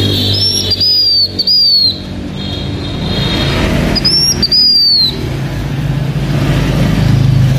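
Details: Blue-winged minla used as a decoy singer by a Hmong owner in Vietnam: two pairs of high whistled slurs, each rising then dropping, separated by a soft steady tone, over low traffic-like rumble.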